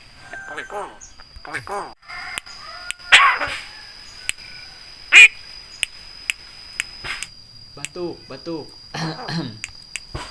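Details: Javan myna (jalak kebo) mimicking human sounds such as greetings and coughing: scattered harsh nasal calls, sharp clicks and brief rasping outbursts, with a faint whistle and a steady high-pitched hum throughout.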